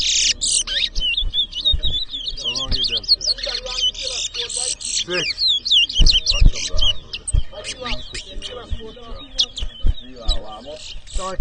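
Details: Towa towa (chestnut-bellied seed finch) singing in a 2023 whistling competition between two birds in Edinburgh Village, Guyana: a fast, busy stream of short whistled slurs and twitters, roughly three notes a second, amid crowd voices and thuds.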